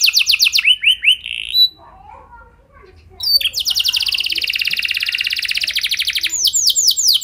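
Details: Canary lure song for prompting other canaries to sing: rapid trill and a flat whistled phrase, a short quiet gap with faint low chatter, then a long fast rattling roll ending in arched notes.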